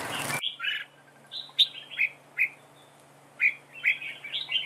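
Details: Red-whiskered bulbul used as a decoy in a trap duel, singing a dueling song: short bright whistled phrases, some rising and some falling, come in separated bursts about every half second. A brief noise burst opens, and a low hum runs underneath.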